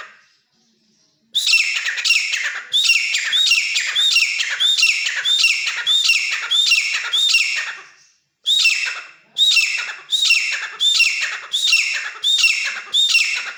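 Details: Captive grey francolin, trapped in the wild and kept at home, calls in long bursts of loud, grating, high notes, repeated quickly and evenly, with one brief pause midway before the series resumes.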